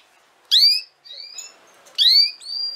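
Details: A canary sings song meant to teach young canaries to sing: two bright bursts of quick, high chirps about one and a half seconds apart, each followed by a thin, steady whistle, otherwise quiet.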